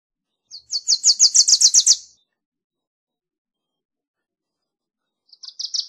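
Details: Two songs of a Wilson's warbler: a rapid run of bright, high chip notes growing louder over about a second and a half, then a long pause before the next trill begins.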